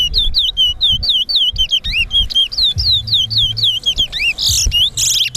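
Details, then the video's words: Caged towa towa (chestnut-bellied seed finch) singing in a whistling competition: a fast series of clear, slurred whistles that dip and rise, repeated about four per second, with a low crowd rumble and counting voices behind. "TOWA TOWA BIRD WHISTLING COMPETITION"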